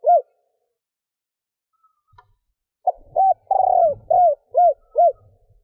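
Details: Female spotted dove cooing to stimulate males to call: soft, low, hollow coos, one opening note then a run of about six quick rounded coos, with a longer drawn-out one mid-series; Spotted dove.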